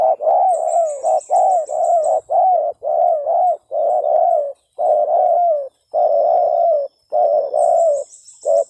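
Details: Spotted dove used to lure other doves, described as a persistent caller: a steady run of low, hoarse, slightly rising coos, short and long notes alternating without pause, with faint high chirping trills near the beginning and end.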